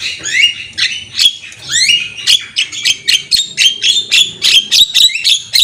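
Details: Javan myna in full head-bobbing song, recorded for training; rising whistled slurs at first, then a fast, regular chain of harsh buzzy notes, roughly three each second.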